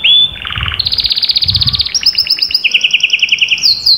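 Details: Canary singing to stimulate other birds: a short clear whistle, a lower buzzy trill, then long rapid rattling trills switching between two pitches, with faint low thuds underneath.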